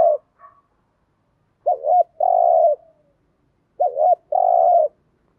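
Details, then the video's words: Spotted dove giving its coo as a lure to attract wild doves. Two phrases, each a wavering double note followed by a long, level, mellow coo, separated by about two seconds of quiet. "Tiếng Cu Gáy Giọng Hạp BổI ĐỦ BÀI ( GÁY GỌI,THÚC,GÙ ) Kích Bổi Nhanh Nổi"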